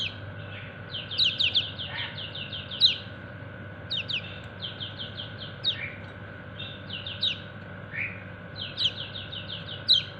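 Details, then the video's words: Kecial kuning, a white-eye, calling to its companions with rapid 'ciak ciak' chirps: quick bursts of four to six thin, high, downslurred notes every second or two, over a constant low background hum. "Burung Kecial kuning ciak ciak manggil temennya"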